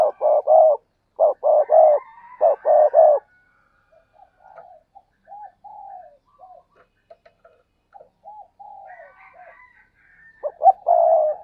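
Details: Spotted dove calling loudly with rapid groups of short low coos, followed by a long stretch of softer, more distant dove coos and faint higher chirps, then a loud coo phrase returns at the end.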